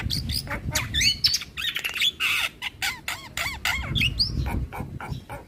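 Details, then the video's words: Javan myna in full-filler lure song, said to make other mynas answer at once: loud rapid squawks mixed with sliding whistles and harsh bursts, continuous and energetic, with low background rumble. "Semua Burung Jalak Seketika Nyaut Dengar Pancingan Jalak kebo Full Isian Ini"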